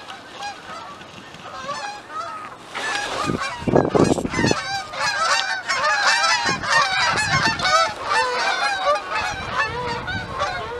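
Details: Canada geese flying past at Cheam Lake Wetlands, British Columbia, Canada: a dense chorus of harsh, nasal honks from many birds, overlapping and repeated several times a second, growing louder after the first few seconds, with a few low thumps.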